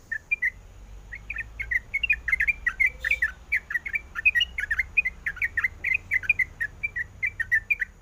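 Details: A female sooty-headed bulbul calls to attract a male, giving a lively, fast stream of chirpy notes that rise and fall slightly in pitch, briefly pausing early on.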